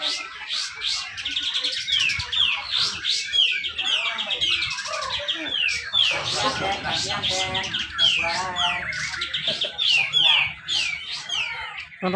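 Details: Cucak jenggot, or Grey-cheeked bulbul, heard at a bird-song contest in Malinau, North Kalimantan; its tight 'besetan rapet' song serves as a lure for lazy singers. Long, crowded volley of sliding whistles and clipped chirps, slightly rough background.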